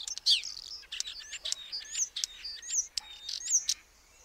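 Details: Common starling chattering a dense mix of high whistles, sharp clicks and squeaky slurred notes, continuous and irregular.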